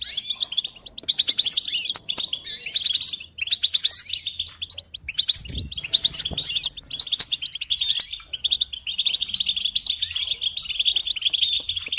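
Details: An extended goldfinch song chorus: a steady, fast-paced flow of twittering, liquid chirps and buzzy trills over twelve seconds, with a single soft thud near the middle.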